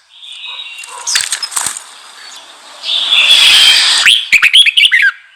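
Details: Red-whiskered bulbul song for provoking newly caught birds, partly masked by a hissy, rustling background, with faint chirps early and a clear quick burst of bright, warbled notes at the end.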